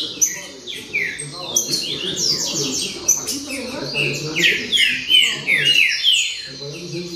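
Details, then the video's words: Green-winged saltator, locally trinca-ferro, in a baderna performance: a steady stream of descending whistled phrases repeated almost three times per second, dense and overlapping, with soft low sounds beneath. "Baderna De Trinca Ferro Show!!!"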